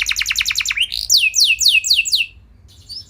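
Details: Canary singing as a lure to make other canaries reply, starting with quick high repeated notes, then slower loud downward-slurred whistles, ending in faint high twitters.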